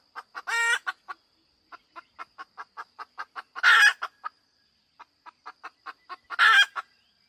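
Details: Hen giving a run of short, evenly spaced clucks punctuated by three loud harsh squawks, a thin constant high tone behind.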